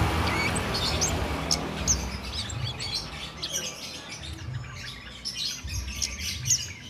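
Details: A cit keres flowerpecker, in continuous song without doping, recorded as a master for training songbirds: high thin chirps about twice a second, fading slightly midway, over rumbling low noise.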